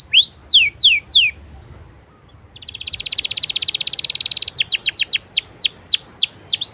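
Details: Canary song meant to prompt other canaries to sing: a few loud sweeping whistles, a brief quiet gap, then a long fast buzzing trill giving way to spaced, steep down-slurred whistled notes.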